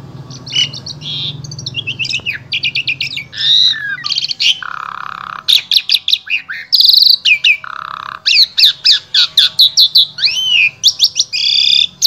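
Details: Asian pied starling, Wonosobo, Central Java, Indonesia, in a rich varied song meant as a vocal tutor for other starlings: dense run of loud squawks, whistled slurs and rapid chattering notes, quickening into fast repeated chips near the end.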